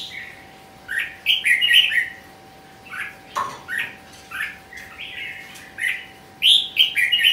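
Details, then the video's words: Red-whiskered bulbul singing at a song competition: bursts of warbled, slurred mid-high notes in quick irregular groups, with a clicking sound near the middle and a steady electrical hum underneath. "Chào mào thi giải !"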